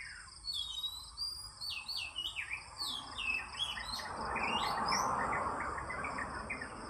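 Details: An oriental magpie-robin sings in the morning, giving quick varied whistled notes and swoops. Loud rushing noise swells from the midpoint onward, with steady insect drone throughout.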